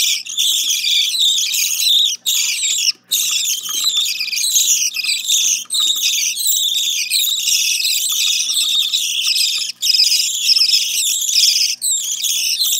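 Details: Budgerigar chicks being fed give a dense, continuous chatter of high, raspy begging calls.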